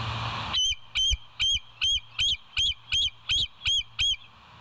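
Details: West End Bald Eagle, live nature cam, 25 September 2023, 7:00: after a burst of noise, about ten evenly spaced, high, squeaky chattering notes, roughly two to three per second, over a low hum.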